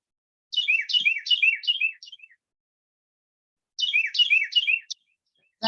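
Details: Carolina wren, sparrow-sized year-round neighbourhood resident whose male and female both sing, belting out two loud, rolling bursts of four or five quick down-slurred phrases, the tea-kettle or cheeseburger rhythm, separated by a short pause.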